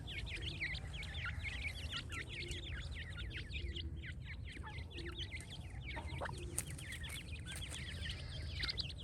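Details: A group of young francolins peeping thinly and rapidly, high slurred cheeps packed closely together, with a few lower notes and a steady low hum beneath.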